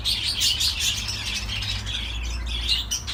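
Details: Budgerigar singing: dense, chattering warble of fast scratchy chirps and squeaks, steady and unbroken for the whole stretch, with a faint low hum underneath.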